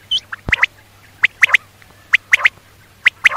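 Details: Female common quail calling in crisp, abrupt three-note bursts, the middle notes strongest, repeated roughly every 0.9 seconds. A single thud and a low steady hum are also heard.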